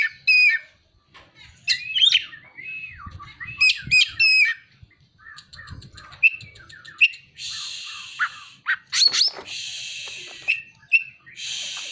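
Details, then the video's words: Oriental magpie-robin (kacer) song containing imitations of prinia (ciblek) and sunbird (kolibri) calls: sharp whistled notes and chirp clusters in the first half, then long hissing, buzzy rasps alternating with quick squeaky notes. "Kacer (materi ciblek dan kolibri)"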